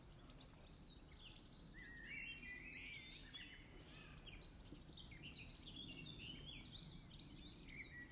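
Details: Feeding goldfinch recorded in mid-May 2023 at RSPB Ham Wall in the Somerset Levels, UK; dense, rapid high chatter of liquid chirps and slurred notes, fairly continuous, over low background noise.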